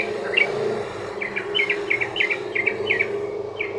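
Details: Sooty-headed bulbul giving a long rapid song, used as a lure to set other bulbuls singing: a quick string of short bubbly liquid notes repeated steadily, over a constant low hum.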